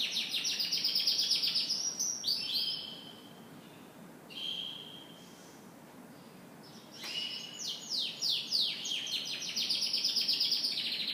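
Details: Morning song of a canary: rapid trilled sweeps, a pause with two short level whistles, then a renewed loud run of fast descending chirps and rolling trills.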